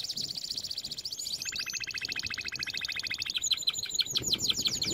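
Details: Canary song meant to teach other canaries: a bubbling rapid trill that drops to a lower, steady rolling rattle, then rises again into faster high sweeping notes.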